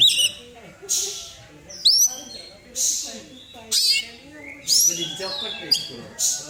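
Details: Oriental magpie-robin song used as a lure to make other birds sing: bright whistled phrases with sharp rising sweeps and harsh buzzy bursts, given in separate bouts about every second, over a low background murmur.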